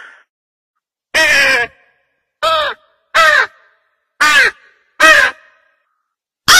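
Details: Crow giving single harsh caws with a clear downward-bending tone, spaced about a second apart in an uneven rhythm, six calls in all with silence between them.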